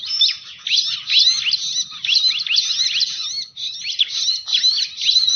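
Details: Bar-winged prinia calls used as a lure for trapping birds: dense, high, sharp chirps and downslurred whistled notes tumbling rapidly over one another, nearly continuous with brief dips in loudness.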